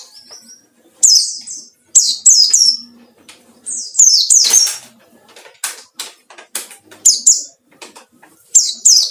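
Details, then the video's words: Lure song of a white-eye in 'ngalas' style seeking rivals: repeated high descending chirps in pairs and triplets, mixed with many sharp clicks and fluttering, wing-like rustles. "burung pleci ngalas cari lawan//ampuh buat pancingan"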